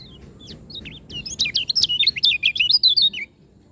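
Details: Lombok white-eye in song, a fast twittering phrase of high, zigzagging notes that rises in loudness and runs for about two seconds before stopping abruptly, with a quiet low hum underneath.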